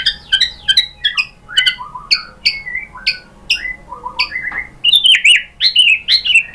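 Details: White-rumped shama song as a lure recording: crisp clicks and short whistles, lower flat notes in the middle, then loud, varied, rising and falling whistled phrases.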